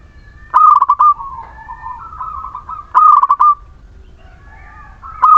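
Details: Zebra dove of the local Muria strain, used as a lure to prompt lazy birds to sing, delivers rapid stuttered coos. Each burst trails into a longer level note, and the phrases come roughly every two and a half seconds.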